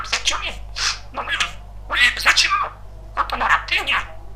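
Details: Pet male budgerigar, described as very talkative, chattering in a rapid stream of scratchy, speech-like syllables in short bursts indoors, over a steady low electrical hum.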